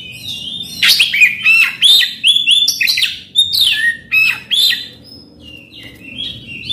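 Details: Oriental magpie-robin song to provoke a silent bird into singing: quick run of varied whistled notes, slurred and looping, mixed with short scratchy chips, becoming sparser and softer toward the end.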